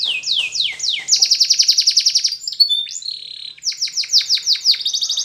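A canary sings high, bright descending slurs, then a fast metallic rolling trill and more quick falling notes, with no other sounds.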